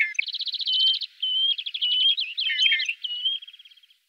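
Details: Great grey shrike in the Loonsche Land near the Loonse en Drunense Duinen: fast rattling trills of repeated clipped notes, broken by a short pause and fading out softly at the end.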